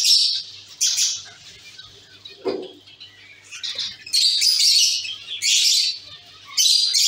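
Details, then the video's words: Caged zebra finch colony: loud bursts of nasal, buzzy high chirps in clusters separated by quieter gaps, with a brief low thud midway. "Zebra finch sound & activities"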